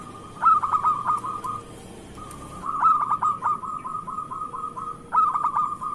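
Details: Zebra dove of local Indonesian stock singing actively, a lure for doves reluctant to sing: three phrases about two and a half seconds apart, each clipped notes sliding into a rolling coo, with a low rumble early on.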